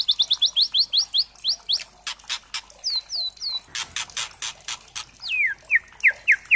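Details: White-rumped shama, locally murai trotol, lure song used to provoke singing: rapid series of upslurred whistles, crackling rasps, three downslurred whistles, more rasps, then falling whistled notes.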